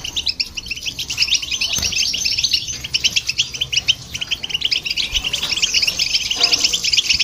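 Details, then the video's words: European goldfinch and a hybrid singing to excite other birds; sustained fast twittering and trilled chirps, bright and jingling, with an occasional soft knock. "Goldfinch And The Hybrid To Hear And irritate The Birds"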